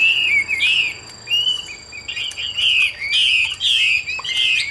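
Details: Chinese hwamei, a caged bird offered for sale in Vietnam, singing loud, varied whistled phrases: rich slurred notes rising and falling, run together in quick bursts with brief pauses, with faint steady high tones in the background.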